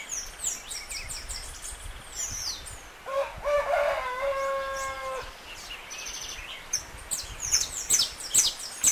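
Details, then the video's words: A saffron finch (Sicalis flaveola) gives its strong, cracking song of quick, high, sharp chirps in bursts; a rooster crows loudly midway, partly covering the song. "CANARIO DA TERRA CANTA E ENCANTA canto estalo"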